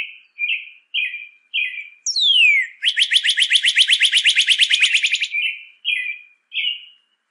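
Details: Singing northern cardinal, used as a tutor recording for captive birds: short buzzy repeated notes, a long downward-sliding whistle, a rapid rich trill lasting over two seconds, then more short buzzy notes.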